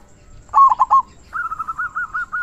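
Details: Local zebra dove singing in the big 'kung' style used for training doves: a short burst of four bubbling coos, then a long, wavering trilled note held for about a second.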